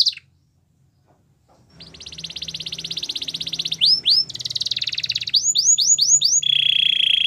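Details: Belgian canary singing for training: after a brief silence, a long buzzy trill near the top of the range, then rapid repeated downward-sweeping whistled notes and a lower steady rolling trill at the end.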